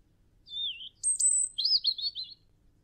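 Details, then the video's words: Robin (red breast) song phrase: a thin descending whistle followed by a very high sweeping note and a fast, jumbled warble, clear against a faint low rumble. "Robin (Red Breast) - Bird Song"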